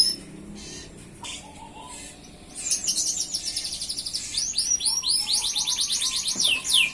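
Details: A vigorous F1 canary song, used to prompt and tutor other canaries: about two and a half seconds of quiet with faint chirps, then loud rapid trills of high, down-sweeping notes repeated several times a second.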